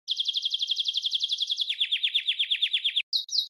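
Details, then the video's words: A red canary sings fast, high trills: a rapid run of bright notes, then slower downward-sweeping rolls, ending with a brief high warble. "Red Canary"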